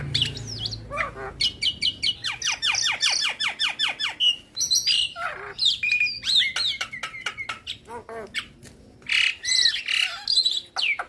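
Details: Javan myna in full varied song, meant to get other mynas to sing along. Long run of squawks, a rapid series of descending whistled slurs, harsh notes and sharp chirps, fairly continuous and loud.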